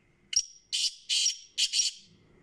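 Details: Black francolin (kala teetar) calling: a sharp introductory click-like note, then three loud, harsh, buzzy bursts in quick succession, the last one split in two, the whole phrase lasting about one and a half seconds against a quiet background.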